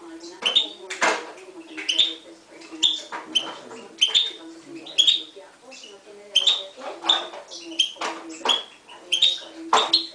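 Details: Mule bred in 2011 from a Himalayan goldfinch and a timbrado canary, singing: short whistled notes near the top of its range alternate with harsh broadband bursts, phrases repeating roughly every half second over a steady low hum.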